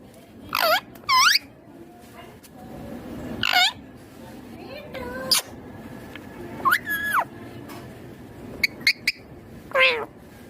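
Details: Green Indian ringneck parakeet talking: short squawky, sweeping sounds and brief speech-like bursts, scattered over about ten seconds with quiet gaps between them.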